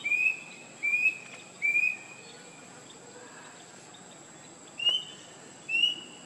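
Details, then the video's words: Rusty-breasted Cuckoo calling with three rising whistles spaced under a second apart. After a gap of about three seconds come two more, over a constant high-pitched insect drone. "Rusty-breasted Cuckoo"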